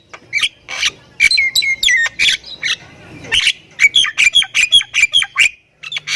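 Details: Full-fill song of a Thai-type Javan myna, kept as a training master for other mynas: scattered sharp chips, then falling whistled slurs, a soft pause, and a rapid run of harsh repeated squawks.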